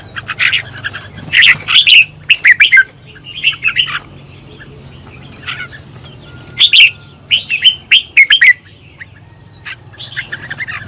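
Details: Red-whiskered bulbul trained as a decoy bird, singing repeated short phrases of liquid, slurred whistles and chirps over about ten seconds, with a faint low hum in the background.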